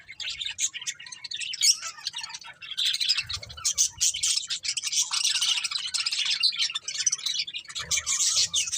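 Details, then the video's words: Budgerigars in continuous lively chatter, dense high scratchy warbling and quick chirps layered over one another with almost no pauses. "Beautiful Budgies Chirping Sounds"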